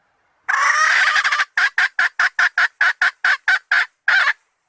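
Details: Hen red junglefowl calling males, a lure recording: a long, scratchy opening squawk followed by a quick train of a dozen clipped, even clucks that slows toward the end.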